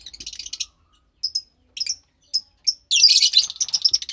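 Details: A pair of captive pastel lovebird chicks: soft chattering, then a few short clipped squeaks at intervals, ending in a sustained harsh raspy burst.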